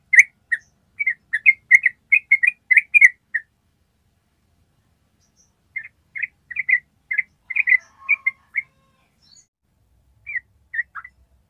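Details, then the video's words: Yellow-vented bulbul ropel song for training other birds: an opening flurry of fast liquid notes, a long silent gap, then scattered shorter runs of whistled notes. "SUARA TRUCUK ROPEL PANJANG, AMPUH BIKIN TRUCUK MANAPUN CEPAT MERESPON IKUTAN ROPEL"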